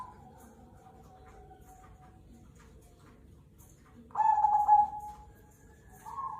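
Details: Zebra dove, cemani kolbuntet variety, in active song: a faint low coo, then a sudden loud trilled cooing phrase lasting about a second, and another coo beginning at the end.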